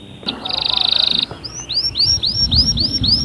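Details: Canary giving a dense buzzy trill for about a second, then a series of rising, arched whistled notes repeated roughly three times a second over low background noise.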